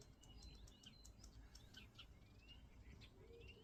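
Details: Common starling singing: a quick jumble of short clicks and thin whistles, with several long rising slurred whistles toward the end, over a low rumbling background.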